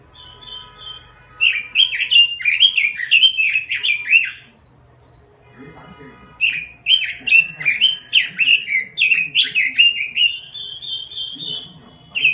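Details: Robin singing hard: two long bursts of fast, repeated down-slurred whistled notes separated by a pause, ending in a steady drawn-out whistle; faint lower-pitched background sounds between the bursts.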